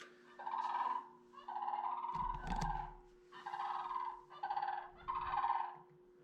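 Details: A Sandhill Crane call, heard at a nature centre display at Tiny Marsh, Ontario: five loud, rolling, rattling calls, each under a second long, over steady electrical hum and a brief knocking thump.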